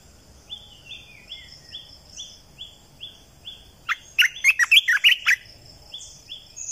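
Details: Red-eyed bulbul decoy song from 2020: quiet repeated rising whistles at first, then a loud, cheerful bubbling phrase of rapid notes about one and a half seconds long near the end.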